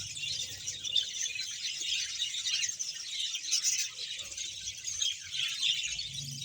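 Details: From a 100-pair budgerigar colony in Bahawalpur comes a constant, high twittering chorus of many birds, with soft warbles and chirps blending together over a faint low hum.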